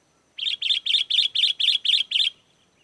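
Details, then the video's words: Sooty-headed bulbul sound used as a lure for wild bulbuls: eight sharp, even chattering notes given evenly about four per second, ending with a faint trailing whistle. "SUARA GACOR BURUNG KUTILANG!! KUTILANG LIAR AUTO LANGSUNG NYAUT DAN IKUT GACOR"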